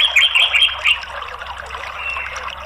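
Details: Captive Orange-headed thrush, at first unwilling to sing, answers a lure recording with a dense, high twittering chatter, loudest in the first second, then a steady stream of quick squeaky notes with a faint trickling undertone.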